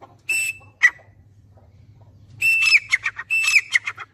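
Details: Grey francolin (dakhni teetar) giving a few piercing whistled notes, a brief call, a pause, then two quick shrill phrases that fall and break into chattering pieces, over a low steady hum.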